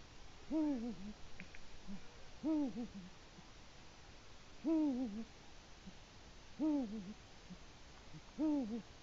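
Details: A Eurasian eagle-owl, likely the male at its nest in autumn at 19:02 on 1 October, gives deep, two-part territorial hoots, each slightly wavering and falling, repeated about every two seconds over a quiet background.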